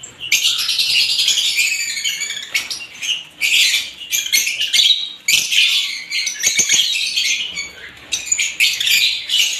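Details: Various lovebirds calling at once: long stretches of intense, high squeaky chatter broken by short gaps, the flock's shrill twittering restarting abruptly several times, a faint low hum behind.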